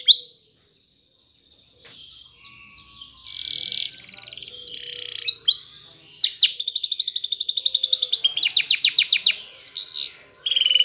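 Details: Spanish Timbrado canary singing in the morning for training: after a short note and a near-silent gap, soft buzzy warbling builds into loud, rapid pulsed trills and rolling repeated notes.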